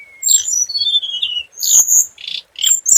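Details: Scarlet minivet lure bird: a high whistle, then a run of thin descending whistled notes followed by loud sharp chirps and buzzy bursts.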